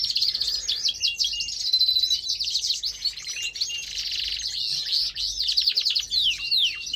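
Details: Male pet canary in steady song, a continuous high stream of chattering trills, sweeping whistled notes and rapid repeated syllables without a break.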